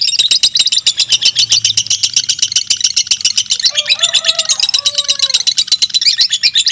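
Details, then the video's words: Fighter lovebirds competing in a two-minute singing duel: continuous fast, shrill pulsed chattering, with a few lower whistled notes breaking through midway behind the chatter. "2 LOVE BIRD FIGHTER MENTIL DURASI TEMBUS 2 MENIT"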